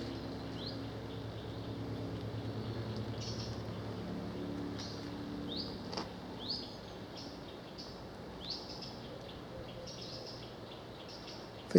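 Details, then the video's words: A Eurasian nuthatch in the background along a river in the Medway Valley, Kent, on 8 September 2019, gives short, sharp, upward-flicked warning notes in loose bursts, a few per second, behind a steady low rumble of outdoor noise. "that's a nuthatch in the background yeah"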